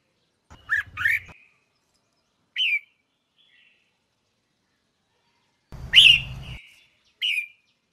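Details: Red-whiskered bulbul female, a sound meant to spur males into song: scattered short whistled notes with silent gaps, two paired slurs, then single falling whistles, with brief low rumbles at the louder bursts.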